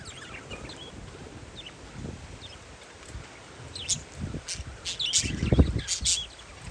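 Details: Parakeets outdoors on a windy day, giving short high chirps and squeaky notes in scattered bursts, some overlapping, over rustling wind gusts and low rumbling thumps.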